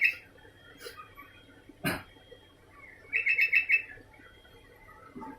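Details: Sooty-headed bulbul calling on and off. A single clear phrase of rapid bubbly whistled notes comes near the middle, after a sharp loud click. Fainter chirps and a thin steady high tone sit in the background.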